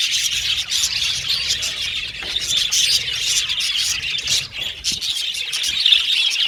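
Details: Colony of Australian budgies in an aviary, chattering nonstop: overlapping sharp chirps and scratchy twitters form a steady high-pitched din, briefly dipping in loudness midway.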